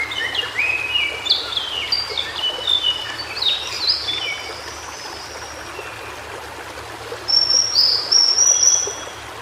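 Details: Cingcoang biru, the white-browed shortwing, singing in natural habitat: a rapid tumbling run of stepped whistles climbing and falling, a pause, then a long bright high warble, over a stream-like hiss.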